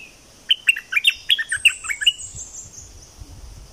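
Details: Energetic song of a streak-eared bulbul from southern Thailand: a crisp burst of bubbly chirps delivered rapidly, followed by a high, drawn-out whistle and soft low background rumble.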